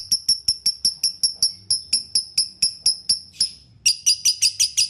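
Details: Lovebird, played to make a pet lovebird resume singing: bright, ringing high chirps repeated roughly four per second, a brief pause, then a denser, harsher burst of rapid notes.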